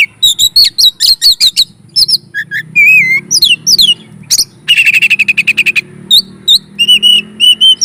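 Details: Long, varied Oriental magpie-robin song meant to raise the excitement of other magpie-robins: rapid repeated chirps, level whistles, a buzzy fast trill and a closing series of repeated whistled notes.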